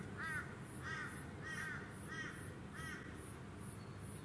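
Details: A male Eastern Koel (Stormbird) on Queensland's Sunshine Coast in February 2020 calls five arched, mid-pitched notes roughly every half second, then falls silent while a steady, rhythmic high-pitched buzzing continues.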